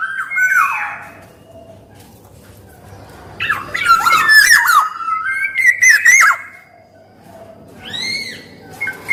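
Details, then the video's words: Black-naped oriole, male and female voices offered as a lure and tutor recording: loud fluted whistles near two kilohertz with harsh nasal squawks mixed in, in bursts separated by quieter gaps, sounding as if recorded indoors. "SUARA KEPODANG EMAS GACOR || SUARA PANCINGAN DAN MASTERAN KEPODANG"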